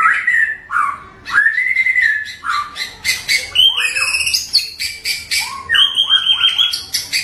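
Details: White-rumped shama song, a full varied rough-toned performance: whistled slurred notes near mid pitch, then high buzzy and chattering phrases, rising sweeps and rapid repeated notes, dense and continuous.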